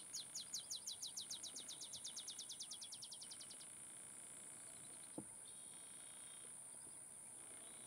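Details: Olive sparrow singing at Laguna Atascosa National Wildlife Refuge, Los Fresnos, Texas, on 30 May 2015: a fast series of about twenty-five high chip notes that accelerates and fades out over roughly four seconds, over a steady high hiss.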